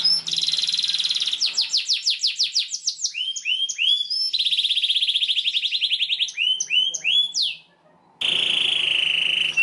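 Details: Canary in long, energetic song used to tutor young canaries learning to sing: buzzy trills, rapid repeated chips and drawn-out rolling phrases, each held for a second or more, with a short gap before a final harsh trill.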